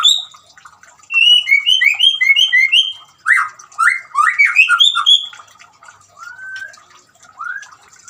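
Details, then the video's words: Song of a white-rumped shama over gently running water, played as therapy for a shama that has stopped singing: rapid repeated high whistled notes, then rich warbled phrases and slurred rising whistles. "suara gemricik air dan siulan murai batu cocok buat terapi murai macet bunyi"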